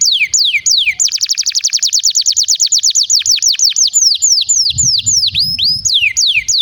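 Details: Canary singing in a long prompting song meant to train young birds and coax quiet canaries into song; sharp descending sweeps repeat, speed up into a rapid trill, then slow back to loud swooping whistled notes.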